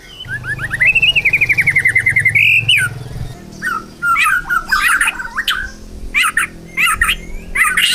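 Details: Contest-ready white-rumped shama in full voice: a long, rapid rattling trill that rises and holds for over two seconds, then loud, explosive, varied phrases repeated in bursts.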